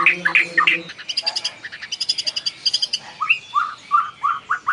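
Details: Lure song of a white-rumped shama to set other birds singing. A low droning hum opens, then chirpy notes, buzzy trills and a closing run of repeated clear whistled notes.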